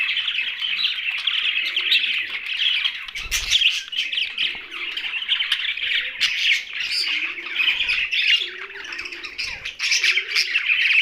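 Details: Young budgies keep up a steady stream of shrill chirps and scratchy warbling, with occasional squawks, a few knocks, and quiet low cooing tones beneath.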